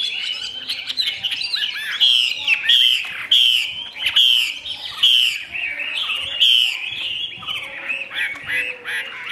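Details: A Chinese hwamei sings in a cage with its tail fully spread: loud warbling whistles mixed with harsh, squawky bursts, delivered in an uneven, energetic series.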